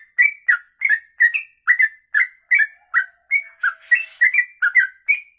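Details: Steady stream of liquid, chirpy whistles from a sooty-headed bulbul in long kongslet ropelan song, short slurred notes rising and falling in quick succession, roughly three a second throughout.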